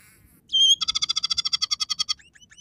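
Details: Scaly-breasted munia in full song with house sparrow, red siskin and canary phrases worked in; a long, steady high whistle opens into a quick, rattling buzzy trill of about fifteen notes, fading into faint rising chirps.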